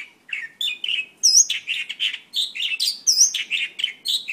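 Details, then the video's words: A Mongolian lark pours out a rapid, varied song of bright chirps, slurred whistles and high sharp notes, with no pauses and no other sounds. "Mongolian Lark"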